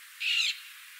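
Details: A Black-cheeked lovebird (Agapornis nigrigenis) gives one harsh, high screech lasting about a third of a second, with a faint hiss in the background.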